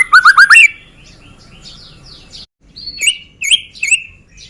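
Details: White-rumped shama of the Medan type singing as a lure to provoke other birds to sing: a quick run of four loud looping whistles, then a pause with soft chatter, then sharp rising and falling whistled phrases.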